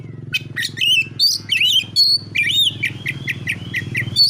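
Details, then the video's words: Oriental magpie-robin giving fighting song meant to provoke rival birds: a rich run of whistled notes sliding up and down, crisp chirps and short trills, loud and continuous over a steady low hum. "KACER MANA YANG DIAM DAN NGAK NYAUT DENGAN KICAUAN KACER NARUNG SATU INI"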